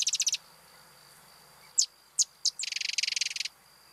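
A Sedge Wren gives three separate high chip notes, then a dry, fast mechanical rattle of about fifteen pulses, like a sewing machine. The tail of an earlier rattle opens.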